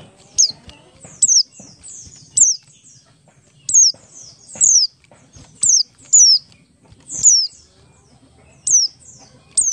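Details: Ngalas song of a Buxtoni Oriental white-eye, played as a lure so other white-eyes sing quickly: a steady series of thin, piercing, downward-sliding whistles, singly or doubled, about every second, over a quiet background.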